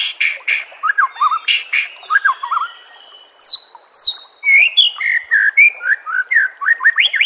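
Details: White-rumped shama song for training caged birds, fast varied phrases, high downslurred whistles in the middle, then rolling rising notes.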